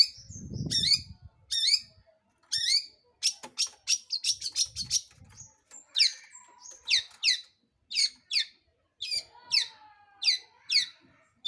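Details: Long-tailed shrike song for provoking other birds into singing: mixed arched whistles, a burst of dense scratchy chatter, then a steady series of sharp downslurred notes about every half second.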